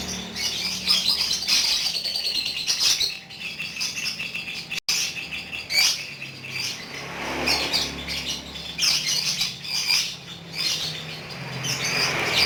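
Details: Lovebird kept as a pet, singing in ngekek style: extended high, scratchy chattering in long runs with short breaks, rapid notes piling together, over a faint low hum.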